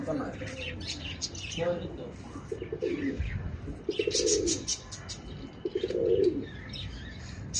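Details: Pigeons in Bangladesh, being fed pathorkuchi leaves by a child, give three low, pulsing, rolling coos spaced about one and a half seconds apart, among wing flutters, rustling and a human voice.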